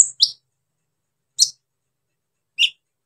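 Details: Brown-throated sunbird used to stir up other sunbirds, giving three sharp, high chirps spread over about three seconds in an otherwise quiet setting.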